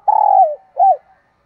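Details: Decoy spotted dove calling in the morning: a long stuttering coo that slurs downward, then a short arched coo, both low and mellow.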